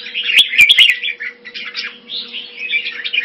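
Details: Hobby-kept red-whiskered bulbul (jambul) delivering a rich, chattering warble of quick slurred notes. Sharp clicks come early, and a low steady hum runs underneath.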